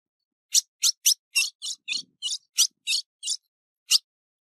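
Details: Recorded 15 June 2019, a female ultramarine grosbeak in breeding condition gives about eleven high, buzzy chip notes in an uneven series roughly three per second, ending with one isolated chip. Nothing else heard.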